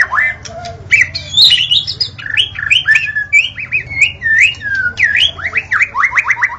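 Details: Dawn song of a white-rumped shama, played to lure wild shamas; a rich, varied stream of whistled phrases, quick slurred notes and ends with a rapid series of descending downslurs.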